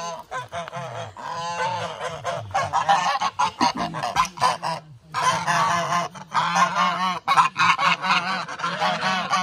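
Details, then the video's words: Several Toulouse geese on a small wooded Vermont homestead honk loudly and insistently in overlapping nasal calls with brief pauses, a noisy flock chorus protesting that the person sitting with them brought no treats. "We Want Treats! Toulouse Geese Sounds"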